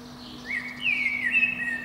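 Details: Spring dawn song of a protected Eurasian blackbird perched atop a pine under a window, heard between about five and seven in the morning: a mellow rising whistle flowing into a warbled, slurred phrase, with constant low hum behind.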